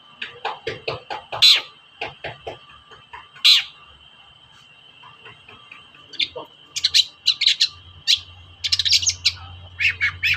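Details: Long-tailed shrike toet-toet lure for shrikes that are slow to sing: a spaced run of sharp clicks and raspy bursts, then a denser flurry of chattering notes toward the end, with a faint hum underneath.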